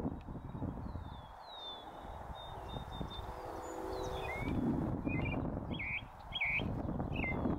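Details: Leucistic North American robin on a post at a northern USA oak savanna, with several short, clear warbled phrases late on, after faint high thin whistles, over constant low-pitched background rumble.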